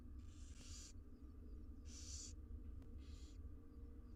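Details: Six wild barn owl nestlings fed inside a research nest box give three drawn-out, breathy hissing screeches, each under a second and spaced about a second apart, over a constant low rumble.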